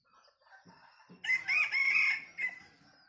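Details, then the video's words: Bantam rooster with a laugh-like crow: quiet clucking sounds lead into a loud, harsh, pulsed crow lasting about a second, then a short trailing note. "ขันสัก9ดอกคล้ายเสียงหัวเราะ ไก่แจ้ ไก่ขัน"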